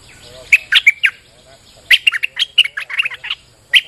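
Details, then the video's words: Bulbul in rainy weather giving a vigorous lure song: two clusters of bright, sharp chirps and quick tweeting notes, the first brief, the second a rapid busy string, with a final loud chirp at the end. "Suara pikat merbah lekir gacor"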